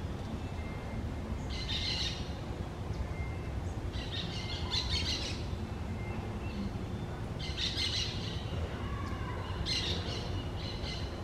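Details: Green parakeets that have found their nest, giving short bursts of harsh, high chattering calls at about two, five, eight and ten seconds over steady low background rumble.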